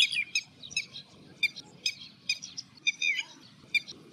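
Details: Red-wattled lapwing calling in the background near water while a little egret hunts fish: shrill, sharp, slightly harsh notes repeated in quick bursts about twice a second.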